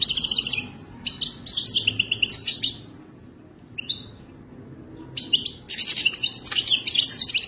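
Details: Wild European goldfinch singing in the authentic Wadani style, a mating song: several phrases of fast, high, tinkling twitters and buzzy trills split by short pauses, with one brief slurred note alone in the middle.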